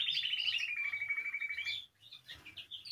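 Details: Spanish timbrado canary song used for training young birds: a buzzy rolling trill gently descending in pitch for nearly two seconds, a brief pause, then scattered higher chirped notes.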